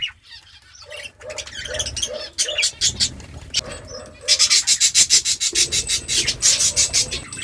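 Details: Budgerigar chirping, a chirp said to make budgies dance; low murmuring at first, then fast, regular bursts of high, scratchy chirps at about three per second.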